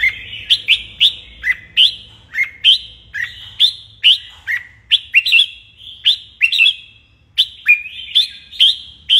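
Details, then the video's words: Morning training session of a caged red-whiskered bulbul, singing a steady stream of crisp, whistled phrases roughly every half second, each a quick upward-then-downward slur, loud and clear. "Luyện chào mào hót sáng"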